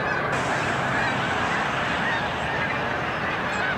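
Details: At Montezuma, New York, on 7 March 2022, a huge migrating snow goose flock produces a constant clamour of overlapping honks, a brief higher squeak standing out above the mass.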